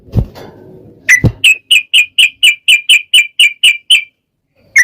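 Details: Yellow-vented bulbul with a long rolling 'ropel panjang' song, used as a lure to provoke birds into singing back: low thumps, then a fast run of about a dozen bright, even whistled notes, roughly four per second, ending abruptly.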